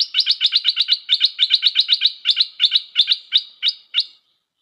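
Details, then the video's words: Stripe-throated bulbul, a new decoy bird: fast run of about fifteen sharp chirping notes, bright and clipped, given in a quick uneven rhythm that slows slightly before stopping; no other sounds. "เสียงนกดอกแตงEp.135 จ้าวขันทอง นกต่อใหม่เปิดดอกน่าฟัง สำนวนดี Suara pikat merbah lekir"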